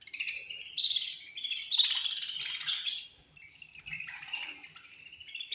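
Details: Budgerigar colony chirping at food time, a loud, shimmering mass of high chattering notes that swells, dips briefly to quiet, then resumes more softly.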